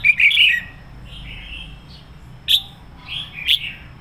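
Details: Fiery full song of a red-whiskered bulbul used as a decoy: bright warbled opening burst, then soft slurred whistles and two sharp click-like notes with short warbles.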